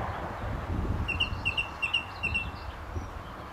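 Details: Song thrush, a male in Britain at a gravel pit near St Albans in May 2012, singing very close from a telephone wire. Short bright notes are repeated in quick pairs and triplets over low rumbling background noise.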